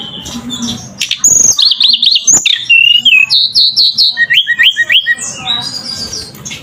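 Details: Lively gacor song of a flowerpecker (tledekan): rapid, varied high warbling with fast wavering trills and a descending run of repeated short whistled notes, near-continuous throughout.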